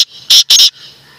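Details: Black francolin giving a loud, grating call: a brief opening note, then two strong harsh rasping syllables in quick succession, fading into quiet background hiss.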